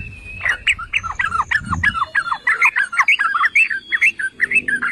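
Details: Yellow-vented bulbul song used as a provocation for other bulbuls: a lively series of sharp, bouncing warbled notes, roughly two per second, against a mostly quiet background with a brief low rumble.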